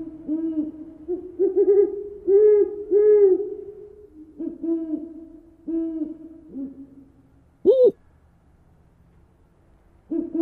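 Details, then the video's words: An owl hoots with runs of low, hollow, slightly arched hoots, about one per second, then one sharper, higher wavering note near the end. "Le hululement du hibou"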